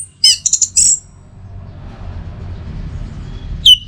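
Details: Orange-headed thrush song, used as training and lure audio for kept birds: a few brief high, sharp whistled notes with harmonics in the opening second, then near silence with faint low background hum.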